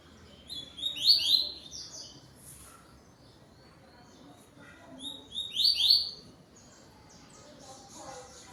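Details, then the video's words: Double-collared seedeater with a yellow bill, recorded at dusk on 12 November while singing to another bird: two bursts of quick, buzzy, high sliding notes about five seconds apart over a quiet background. "COLEIRO TUÍ TUÍ ZEL ZEL ZEL ZEL"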